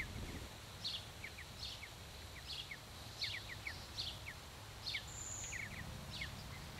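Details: Mountain Bluebird at a nest box or nearby aspen forest in Alberta gives soft, high chirps with quick falling notes, about one burst every second, over a low rumble of wind.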